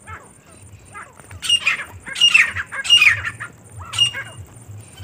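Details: Four harsh, rasping squawk bursts from a female partridge (teetar), spaced unevenly about a second apart, with a faint low hum in the background.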